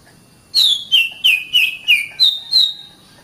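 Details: Oriental magpie-robin song recorded as a master track for training caged birds: seven clear whistled notes, each sliding downward, delivered evenly about three per second, with no other sounds.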